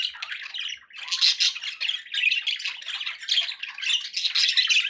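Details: Several pet budgies chatter loudly and almost nonstop, a harsh squawking warble with clicks and short whistles, pausing briefly near the first second.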